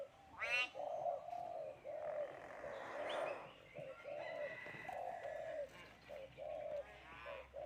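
A common hill myna imitates human speech in short, voice-like phrases with a nasal, mid-pitched tone, broken by a few sharp rising whistles and squawks.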